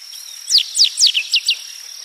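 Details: Song of a rusty sparrow: bright, falling slurred notes, three spaced and then three quicker, set against a continuous high insect whine.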